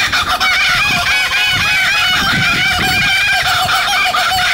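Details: Several laughing kookaburras (Dacelo novaeguineae) in Sydney, Australia, calling together in a territorial family chorus, a loud, continuous cackling of rising and falling hoots and chuckles with no pauses across the whole stretch.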